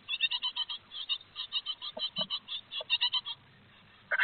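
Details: Great tits at a nest box in Théding on 3 July 2023, during the first fledging of the second brood. Rapid bursts of short, buzzy chirps, about twenty in three seconds, then a pause and a louder call.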